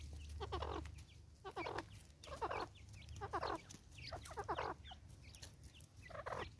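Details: Angry female Natal spurfowl, South Africa, 2024, repeating loud grating cackle phrases roughly once a second, each a coarse rasp followed by short sharp clucks, with low hum under them.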